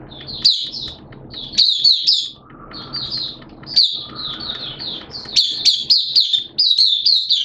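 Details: Hobby-kept Oriental white-eye in full song amid wet, erratic weather: high, quick, sweet chirps strung into lively phrases, then a denser burst near the end, with low-level background noise throughout.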